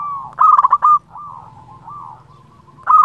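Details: Zebra dove, a local bird, singing to call rivals and lure other doves: a loud stuttering run of rapid cooing notes, then quieter drawn-out wavering coos and a fresh loud burst at the end.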